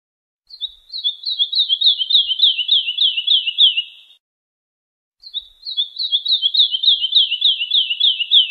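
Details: Two matching phrases, each about three and a half seconds, of fast, high, evenly spaced notes that slide gently downward; song of the wolwal bird used to tutor young European goldfinches.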